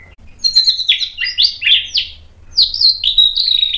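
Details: White-rumped shama singing in a recording meant to provoke another bird into answering: varied clear whistled phrases, slurred up and down, in short bursts with a gap midway, then a sustained high warbling run.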